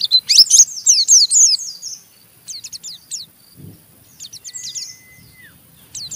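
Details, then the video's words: An Oriental white-eye chatters roughly to goad another into ngeriwik: a dense burst of harsh, high zigzag notes for two seconds, then brief scratchy phrases separated by pauses, plus a faint thin level tone. "Burung Pleci Ngeriwik Gacor merangsang Pleci Bahan ikut Ngeriwik Sampai Buka paruh"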